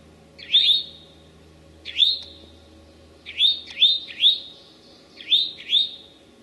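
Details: Eastern towhee, late morning, 25 May 2011, Sudbury or Marlborough, Massachusetts: upslurred whistles with a lingering tone, isolated at first then in quick pairs, around forty a minute, over a faint low drone.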